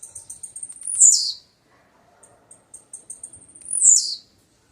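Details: Two calls of a blue-black grassquit, each a quick run of high ticks ending in a bright, buzzy note that falls steeply. The background is quiet.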